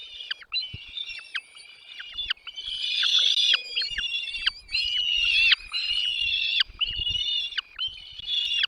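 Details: Parent birds feeding their chicks in the nest as the young keep up an insistent high begging chorus. Shrill, wavering, sustained cries are cut by sharp descending chips, with many bursts over several seconds.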